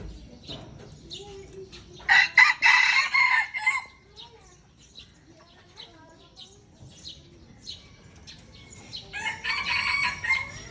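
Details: Pure red junglefowl and an F1 hybrid trading crows in Aceh, Indonesia: a loud choppy crow of about two seconds, then quieter scattered chirps, then a second, softer crow answering near the end.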